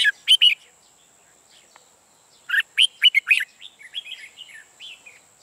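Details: Red-whiskered bulbul, a caged decoy for trapping, in ché song: a short loud triple burst, a pause, then a longer rapid run of sharp whistles easing into softer chattering warbles, with a constant faint high whine.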